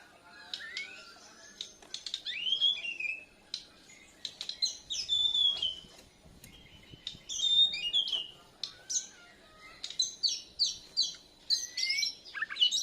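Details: Borneo white-rumped shama learning full song, answering a lure song with chest feathers puffed; varied clear whistles, rising and falling slides and sharp chips in bursts separated by short pauses.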